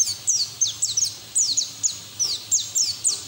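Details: White-eye singing to draw other white-eyes into song: quick high whistles each dropping steeply in pitch, given singly and in pairs at a lively pace over a faint hiss.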